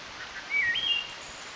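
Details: A Wood Thrush in a holler on May 9, 2012, the first heard that spring, gives one clear, flute-like whistled phrase that dips and then steps up, then a faint high note over a soft outdoor hush.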